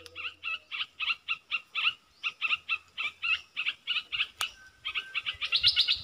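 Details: Bulbul kept as a decoy, calling at wild birds: a fast series of short two-part chirps, about four each second, continuing steadily before a louder burst of higher notes near the end.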